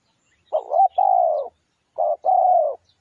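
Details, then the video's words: Lure song of a spotted dove: two coo phrases, the first a wobbling double note and long hoot, the second a brief coo and an even, slightly descending hoot, quiet background. "tiếng chim cu gáy mồi kích bổi nhanh nổi cực mạnh"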